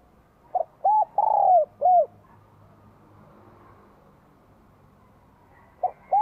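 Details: Vietnamese spotted dove with a bell-like voice greeting the 2023 spring: a phrase of four low hollow coos, the third long and sliding downward, followed after a pause by the start of another phrase.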